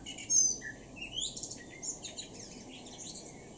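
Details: Male common blackbird singing in a garden in Norden, East Frisia, in northwest Germany, in June 2023; a brief mid-pitched phrase gives way to thin, high twittering notes, with a quiet background.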